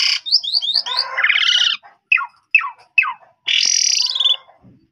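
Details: Asian pied starling lure song for provoking young birds: a quick string of high downslurred whistles, a harsh grating buzz, three separate sharp descending notes, then another long rasping buzz.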